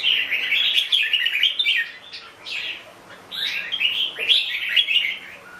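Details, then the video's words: Melodious chattering from a red-whiskered bulbul: bubbling whistled phrases that slide up and down, a busy first stretch, a short lull, then another run of bright notes. "Chào mào bông"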